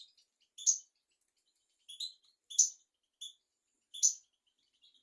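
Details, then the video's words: European goldfinch on a tutor recording for young goldfinches and canaries, giving short, sharp, high chirp notes at irregular intervals of about one to one and a half seconds. "تغريد طائر الحسون حفاضة لتعليم طيور الحسون والكناري"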